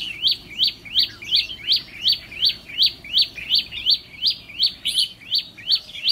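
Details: Captive trainee decoy red-whiskered bulbul, a 'mí lửa' bird tested for temperament: sharp upswept chirps repeated steadily about three times per second, each dipping then rising, over quiet background music.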